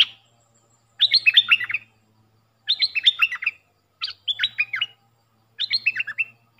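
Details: Puff-throated bulbul decoy recording used for training young hand-fed birds; bright, tumbling phrases of rapid down-slurred notes, each burst under a second, repeated about every one and a half seconds, clean background.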